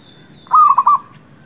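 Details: Zebra dove, called merbuk kampung or local perkutut, used as a lure for trapping and for newly caught birds: a short, soft, rolling coo of four quick mellow notes, over a faint steady high hiss.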